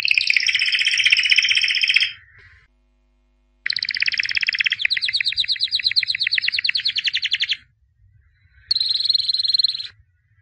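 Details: A white albino canary, champion of 2017, delivers a dense buzzy trill for two seconds, pauses, then sings a long rattling trill and a final short burst.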